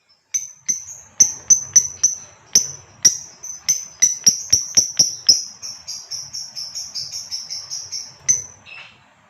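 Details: Female lovebird of the fighter type calling to prompt a male to sing the long chattering ngekek: a run of sharp, shrill, high chirps about twice a second, speeding into a rapid chattering trill near the end, then a final chirp.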